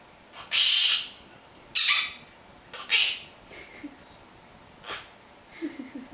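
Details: A pet monk parakeet named Pupi talks in short, harsh, scratchy bursts, saying its name and words like love, kiss, come here, about six in six seconds, ending with softer, lower chatter.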